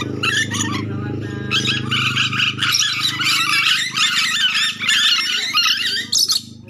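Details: Nuri dora lory from Sulawesi, a recording meant to lure the birds for trapping: continuous rasping, chattering screeches in rapid, overlapping bursts, with a constant low droning hum beneath.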